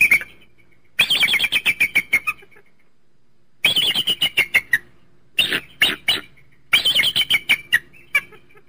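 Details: Eagle uttering rapid bursts of sharp, high piping notes, about eight to ten per series, descending and slowing toward the end, with brief gaps between series.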